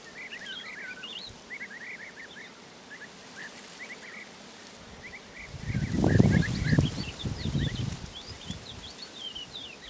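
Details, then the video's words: Woodlark, Lullula arborea, singing softly as it brushes its feathers; a steady run of soft short chirps and trilled notes, joined later by higher notes, while a loud low rumbling noise swells in the second half. "Woodlark brushes its feathers and sings softly"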